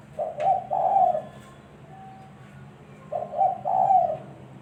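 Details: Trapping-lure call of a spotted dove: two husky cooing phrases roughly three seconds apart, each with a quick opening note followed by two longer mellow coos, with faint background hum.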